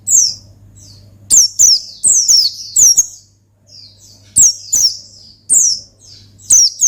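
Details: Rival-provoking gacor ngalas song of an Oriental white-eye: bright, high, falling chirps in bursts of two to four, interspersed with quieter trilled notes and brief pauses, a steady low hum underneath.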